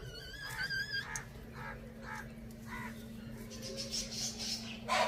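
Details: Rooster and hen eating spinach on a farm in a village. A wavering, harmonic call opens, then short, nasal clucks repeat about every half second, followed by a soft hiss and rustling near the end.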